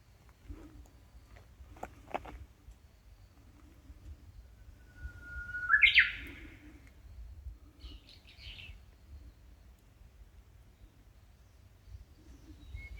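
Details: Wild small bird singing along a tree-shaded park path in Hondo, Amakusa, Kumamoto, during hot early-summer weather: a single high whistle rising into a sharp twittering flourish, a faint buzzy note shortly after, soft clicks and low background rumble.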